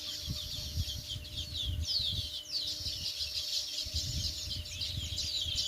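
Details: Sparrows in full chatter: overlapping high chirps and descending slurred notes, constant and busy, over intermittent low thumps and rumbling background noise.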